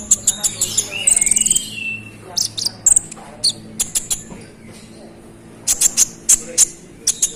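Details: Konin bird singing vigorously, a rolling, persistent song meant to provoke rival konin: bursts of sharp, very high chirps and short buzzy trills separated by brief pauses, with a faint low hum beneath.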